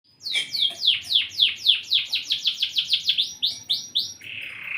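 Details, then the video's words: Long-size canary singing vigorously, a fast series of about fifteen high, down-slurred whistled notes repeated several times a second, ending in a buzzy rolling trill. "Kenari Gacor Long size"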